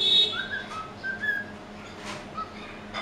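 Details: Pet white-faced cockatiel, hand-fed, indoors: a few soft whistled notes, rising and level, amid a higher thin tone at the start and scattered rustling noise bursts, with steady low hum.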